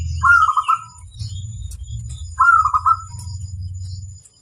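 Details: Master recording of a local wild-type zebra dove in full voice: two rolling, trilled coo phrases about two seconds apart over a steady low rumbling background.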